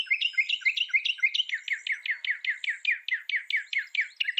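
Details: Northern mockingbird of North America singing a rapid, continuous chain of bright, slurred notes, about three per second, shifting partway through to a new repeated phrase.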